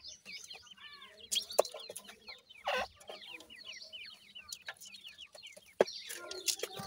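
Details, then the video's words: Young Iranian francolins (irani teetar) peeping in a crowd. Bright, falling chirps tumble over one another, and a few louder thumps and a brief rustle cut through. "irani teetar k bachay boli kartry hn, best teetar chicks boli"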